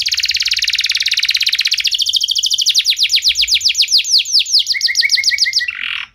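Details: Canary in full song, meant to spur other canaries into singing: a long, fast, even trill that slows into separate arched whistled notes, then a short run of low chirps and a buzzy ending.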